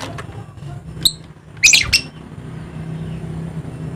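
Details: Dusky lory of Papua, eastern Indonesia: a lone sharp chirp followed by a rough cluster of high squawks, over low engine-like background noise.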